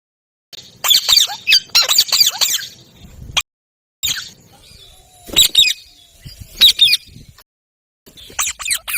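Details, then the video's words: Pet parrot with a soft voice, giving bursts of rapid, scratchy descending chirps in clusters, broken by short silences and fading between phrases. "Mithu parrot soft Voice"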